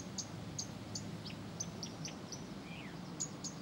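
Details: Blyth's reed warbler singing on and on: a run of short, sharp high notes repeated roughly every third of a second, then a falling slurred note, over a low hum.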